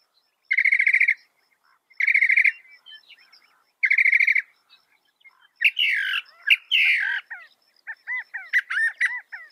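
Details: Northern mockingbird singing a masteran (tutor) song, a bird said to copy some 200 sounds: three bursts of buzzy, rapidly repeated notes about two seconds apart, then loud harsh phrases and a string of quick rising whistled chirps.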